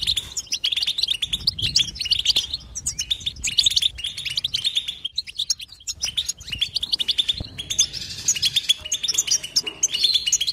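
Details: Constant goldfinch twittering: dense rapid chirps and trills with short breaks around the fifth and seventh seconds, then a fuller, busier burst toward the end.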